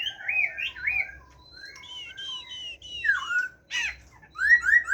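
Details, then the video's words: A caged Chinese hwamei in the forest-voice singing style (giọng rừng) gives wavering rolled whistles, paired high notes, a descending slur and a brief harsh burst, then three quick rising whistles. "Họa Mi hót . tiếng chim họa mi hót giọng rừng nuôi"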